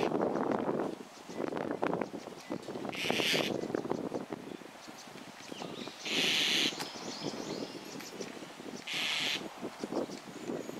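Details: White-cheeked starling in Higashi-Ayase Park, 28 May 2020, holding a lizard in its beak and calling repeatedly: three harsh, grating calls about three seconds apart, over a steady low background rumble and rustle.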